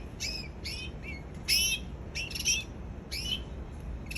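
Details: Canary giving short bright chirping notes, six quick phrases in about four seconds, each a cluster of high rising and falling tones, over a steady low background hum.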